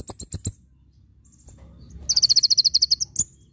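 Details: Javan white-eye, full tembakan for tutoring: four quick high chirps, a short pause, then a rapid even trill of about twelve buzzy notes and a final sharp chip.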